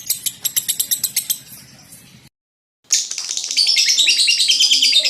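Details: Lovebird chatter: a few sharp, separate high ticks at first, then after a brief silence a loud, continuous run of buzzy, squeaky high notes.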